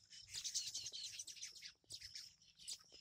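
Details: Baya weavers at a tree holding more than fifty nests, built in the monsoon season; a dense, busy chatter of high chirps and twittering notes from many birds, with quieter gaps between bursts.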